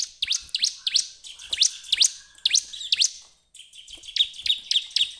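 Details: Bar-winged prinia singing, played as a lure to get other birds singing: a brisk run of high, sharply rising chirps repeated about three per second, a brief gap, then a faster stuttering series over a steady thin tone.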